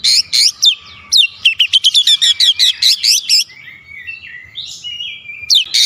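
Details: Kacer, the Oriental magpie-robin, shooting song with fill: a fast, insistent series of loud sharp notes about four per second, then softer drawn whistles and a final sharp burst.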